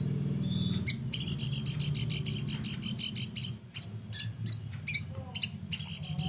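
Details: Flowerpecker song kept as a master recording for tutoring other songbirds, noted for its unique style: very high thin whistles and rapid ticking trills, broken by short sharp downslurred notes, over a steady low hum.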